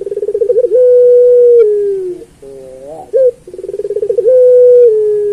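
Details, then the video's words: Puter pelung turtle dove tutor song: a trilled roll runs into a long, even coo that slides down. After short wavering notes and a brief coo, the same roll-and-hold phrase comes again. "Suara Burung Puter Pelung Masteran"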